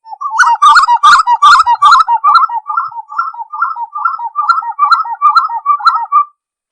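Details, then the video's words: A spot-winged wood quail (uru) in Serra dos Órgãos National Park, Teresópolis, Rio de Janeiro, repeats a gurgling, whistled phrase about thirteen times in steady rhythm. The phrases are loudest at the start and taper off toward the end. "Som limpo do canto🎵 da Uru (Capoeira)"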